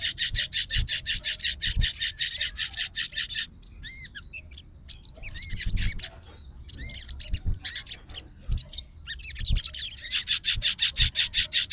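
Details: Sooty-headed bulbul of fighter type, agitated and calling an opponent. Long stretches of rapid, buzzy chatter alternate with gaps holding clear, downward-slurred whistled notes, and faint low knocks.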